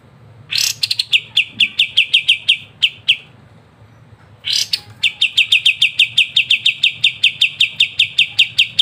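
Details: Pied triller (kapas tembak) giving energetic ngebren song, a training master for songbirds: two bursts, each opening with a rough rasp, then long runs of sharp high chipping notes in quick regular succession.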